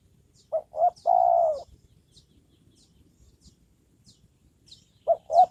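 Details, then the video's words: Decoy spotted dove used for luring wild birds gives mellow low coos: two short notes, then a long sustained coo, and the two short notes begin again. Faint high chirps from other birds sound in the background. "Mikat burung tekukur"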